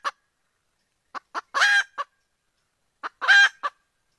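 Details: Female red junglefowl calling to mate with a male, a call said to draw the rooster closer: short clucks around one loud harsh harmonic squawk, the pattern repeating about every two seconds with silence between.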